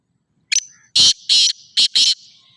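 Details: Sindhi black francolin calling clearly against a quiet background: a brief high opening note, then four harsh, rasping, broadband notes, two evenly spaced and two tightly paired, over about one and a half seconds.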